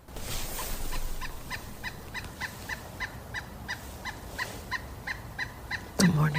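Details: Pileated Woodpecker working its way up a tree beside the low Merced River in Yosemite Valley gives a long, even series of about twenty loud, hollow wuk notes, roughly four per second, over steady river rumble, ending with a sharp knock.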